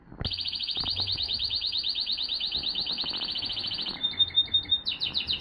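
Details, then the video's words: Male Timbrado canary, 2023, holding a long, steady rolling trill for about four seconds before switching to a short clear whistle and a few separate, rising notes. A low hum sits underneath. "Τιμπράντο Καναρίνια 2023 ♂️ Part3"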